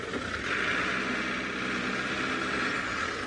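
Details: Continuous broadband hiss and hum of a moving vehicle during a sunrise safari drive, with no animal voices.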